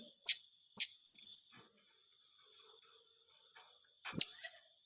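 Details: Blue-crowned hanging parrot calling in 'tembakan rapat' fashion: a few thin, high, downslurred squeaks in quick succession, then a pause and one louder sharp shrill note, on a quiet background.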